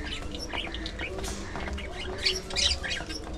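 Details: Pet budgerigars at play, giving busy high chirps and short squawky notes in quick bursts, with a louder cluster of bright calls near the end over low room hum.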